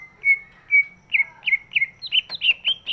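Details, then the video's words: Large greater green leafbird whose song serves to provoke quiet birds into singing; two steady whistles followed by a quick series of bright, looping slurred notes roughly every quarter second. "cucak ijo body big, suaranya bisa buat pancingan burung yang malas bunyi"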